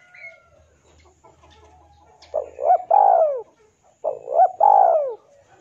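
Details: Male spotted dove calling to a rival, used as a lure: two loud cooing phrases, each a short rising coo, a brief hiccup, then a long drawn-out falling coo, about two seconds apart after a quiet start.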